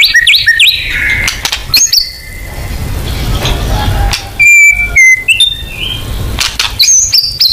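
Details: White-rumped shama lure song meant to draw out its full repertoire: rapid varied whistles at the start, a quieter stretch, then loud clear level whistles and high swooping notes, with clicks and low background hum.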